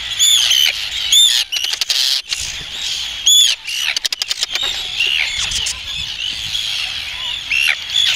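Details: Adult Arctic tern feeding chicks on the Farne Islands, UK: loud piercing high calls with arched squealing notes, overlapping colony chatter and short rapid clicking bursts in the middle.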